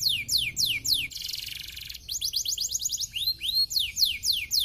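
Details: Canary song intended to make other canaries sing back: rapid descending whistles, a long rattling buzzy trill in the middle, then arched and falling notes in quick succession.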